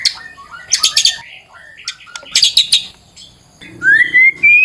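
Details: Varied song of a white-rumped shama (murai batu), used as a lure to set other birds singing: bursts of harsh chattering and clicking notes, then a clear whistle sweeping upward and held at the end.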